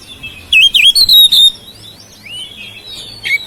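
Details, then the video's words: Household oriental magpie-robin singing to stimulate silent birds: a quick series of wavy, looping whistles, then softer sliding notes and a brief sharp flourish at the end. "KICAUAN KACER RUMAHAN MEMANCING SUARA KACER YANG BISU MACET"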